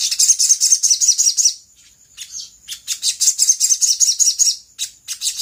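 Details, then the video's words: Brown-throated sunbird in an energetic lure recording meant to make other birds answer quickly: rapid, high, thin chirping trills in two bursts broken by a short pause and scattered sharp notes. "PANCINGAN SOGOK ONTONG GACOR KONSLET AHLINYA BIKIN BURUNG BAHAN CEPAT RESPON NYAUT!!!"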